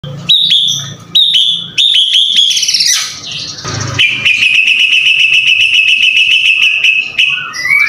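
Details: White-rumped shama (murai batu) singing energetically: loud whistled phrases, some rising and falling, broken by short buzzy trills and a long steady rapid trill in the second half.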